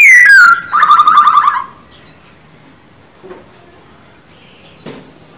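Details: Trained caged male silver-eared laughingthrush: a falling whistle and a buzzy trilled phrase, then near silence broken by a couple of short high notes.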